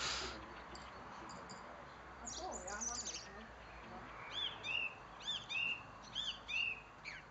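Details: In a garden in Germany, a male house blackbird, raising young there, sings short, bright warbled notes with thin squeaky edges about twice a second, after a quieter start with faint lower sounds and steady hiss.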